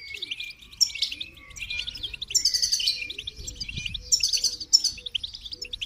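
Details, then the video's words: Goldfinch song of high chirps and buzzy, tinkling trills in loud bursts, with soft low cooing in the background. "Motivating Song of the Goldfinch"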